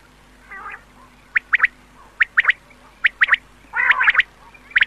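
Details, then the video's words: Quail in an old 2007 recording made for night use, giving sharp, clipped notes in quick pairs and triplets, with soft lower growling notes between them against a quiet background. "Batair k Awaz Raat K Ley Batair ki Old Awaz 2007 || Quail Sund 2007|| Night k Ley"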